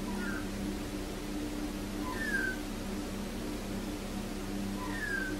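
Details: Australian magpie in a garden where a mother and baby have settled: three drawn-out, nasal, downslurred squeals, each with a soft lower note before it, about every two and a half seconds, over a steady low hum.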